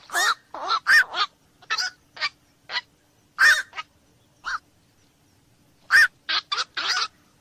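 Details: Rough, croaking barks from a black-crowned night heron, local name koak malam, come in loose clusters of two to four with a longer silence before the last group.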